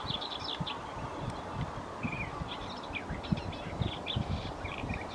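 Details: Garden warbler (Sylvia borin) singing at Wyver Lane: a fast, continuous run of mellow, bubbling notes, fairly quiet behind a steady low rumble of wind or distant noise.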